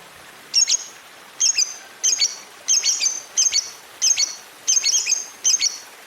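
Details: Lovebird prompting recording meant to coax other lovebirds into long ngekek trills; sharp, high chirps given singly or in pairs, repeated roughly every half second to second over a quiet background.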